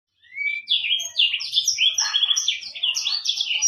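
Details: Black-throated canary, an African bird, singing in a tutor recording used to train other songbirds: a rapid, varied warble of high sweet whistles, trills and slurred notes, starting with a rising whistle and running without pause.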